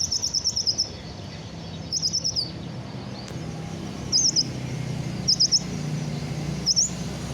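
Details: Sunbird that has just finished moulting gives a long high rapid trill, then shorter chattering bursts with rising flicks, spaced about a second apart over low rumble.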